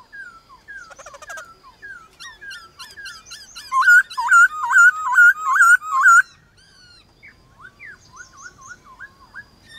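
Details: Contest song of a White-cheeked laughingthrush answering wild birds in the morning: soft mixed whistles and chatter build into six loud, regular looping whistled notes, then fade to quieter, distant-sounding twittering.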